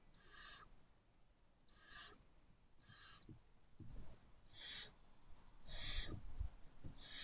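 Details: Barn owl at a nest box before dawn, 4:29 am on 5/2/23, recorded by the box camera; harsh hissing bursts repeat about once a second, six in all, over low thumps and rustling inside the box.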